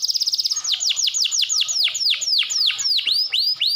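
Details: Canary in steady song, used to trigger singing in quiet canaries: a very fast buzzy trill, then a slower run of deep downward-swept whistles about three per second.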